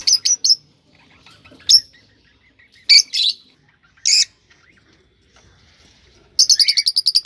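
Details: Pet cockatiels, recording intended to encourage mating: quick paired chirps, isolated harsh screechy notes, then a fast run of repeated buzzy pulses at the close.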